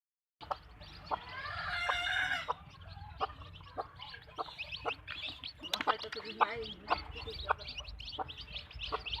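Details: Backyard farm chickens clucking, with a loud harmonic rooster-like call rising and falling near the start, then scattered short clucks and sharp clicks over steady low background hum.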